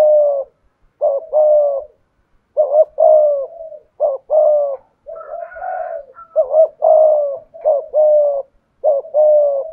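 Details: Low, soft coos from a decoy spotted dove in the 'thổ' voice style, phrases of a short note plus a long sustained coo repeated roughly every second and a half, with a faint higher call in the middle.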